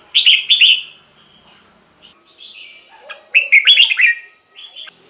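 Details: Red-whiskered bulbul in a cage singing, a recording for exciting other caged birds: two short bright warbles, softer whistles, then a longer loud warbled phrase and a closing whistle.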